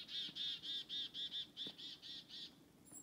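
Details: In a forest, a black-capped chickadee that was following people gives a run of about ten harsh, buzzy dee notes, roughly four a second, fading toward the end over a faint outdoor hush.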